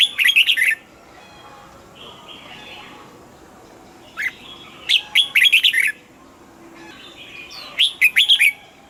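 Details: Red-whiskered bulbul kept in a cage, delivering three lively warbled phrases of clear, bubbling whistles, with quieter chirps and a soft trill filling the gaps between bursts.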